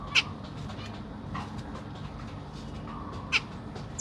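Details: Caged zebra finches, Black Cheek, a family with three juveniles and three newly hatched young while the parents feed them, 25 June 2023: short sharp high chirps, about three loud ones spaced a few seconds apart, over fainter twitters and a steady low hum.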